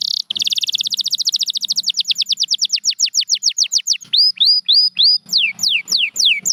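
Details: A champion canary sings a very fast high trill that slows into crisp descending notes, then loud upswept slurred whistles repeated roughly twice a second; a faint low hum sits underneath.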